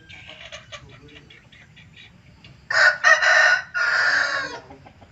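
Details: Hen crowing, described as very rare: after soft clucks and background murmur comes a loud, hoarse, broken crow in several harsh bursts.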